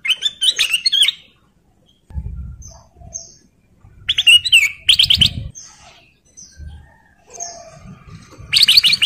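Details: Male sooty-headed bulbul in breeding condition singing vigorously to call a female: bright bubbly whistled phrases in short bursts separated by pauses, with brief faint low rumbling noise in between.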